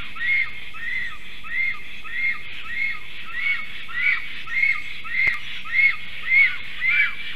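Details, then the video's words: Male and female Black Storks at their nest tree call while defending it against an intruding stranger stork, 12 July 2023 at 11:42 am. Arched calls repeat steadily, almost twice a second, through the whole stretch. "Melnais stārķis~A strange Black Stork disturbs. Male & female are defending"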